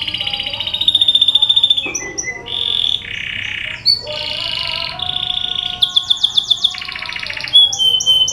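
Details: Canary song used as a lure to get other canaries singing: fast, high rattling trills that shift between pitch levels every second or so, mixed with sharp whistled notes and brief buzzy phrases.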